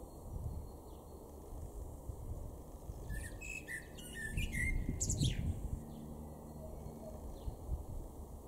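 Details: A male Common blackbird in a garden in Weener, East Frisia, far northwest Germany, in April 2022, gives one short song phrase of mellow warbled notes ending in a higher twitter, over a steady low background rumble.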